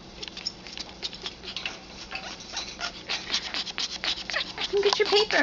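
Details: Female Congo African grey parrot, 11 years old, during hormonal mating display; quick irregular clicks about two to three per second, growing louder, with a short tonal squeak near the end.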